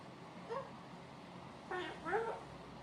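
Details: Pet male blue-fronted amazon parrot making noise and chatting to himself indoors: a soft short voiced note, a pause, then a harsher raspy burst followed by a bending, talk-like squawk, over steady room hiss.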